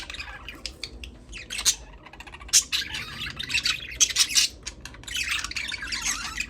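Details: Budgerigars chirping: dense bursts of high, scratchy chirps and squawky notes in irregular clusters, with brief quieter gaps between flurries.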